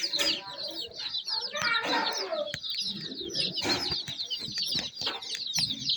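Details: Baby chicks chirping in a busy overlapping chorus of high peeps, partly masked by scraping, rustling and other broad noise.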